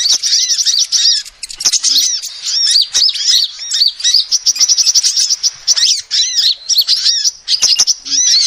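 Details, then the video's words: Female sunbird calling, recorded for use as a lure: a dense, nonstop stream of thin, high chirps and arched, slurred notes, rapidly repeated with only brief gaps and occasional sharp clicks. "SUARA ASLI KOLIBRI BETINA"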